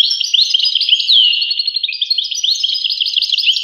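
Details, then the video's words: Rapid, sweet twittering from a European goldfinch, a jumble of high chirps broken by a clear falling whistle near the start, otherwise steady and unbroken. "voice carduelis- Tweets the birds. Tones a bird Goldfinch. voice goldfinch-"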